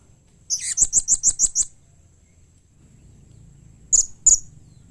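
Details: Blue-crowned hanging parrot calling to make other hanging parrots respond: a rapid string of seven sharp, very high chips after a rising squeak, then a pause and two separate high clipped notes.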